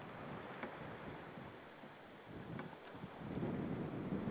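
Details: Steady wind buffeting and low rumbling water or boat noise, with a few faint knocks and no animal voice.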